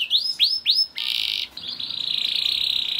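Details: ['Canary singing to stimulate other canaries: three rising-then-falling swooped notes followed by a sustained dense buzzy roll that runs to the end.']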